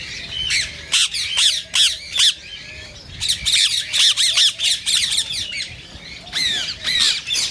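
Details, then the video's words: Screeching of a rose-ringed parakeet, the green Indian ringneck, meant to prompt singing and mating in parakeets that hear it; dense bursts of shrill, harsh calls with short pauses, several callers possibly overlapping. "صوت ببغاء الدرة الخضراء"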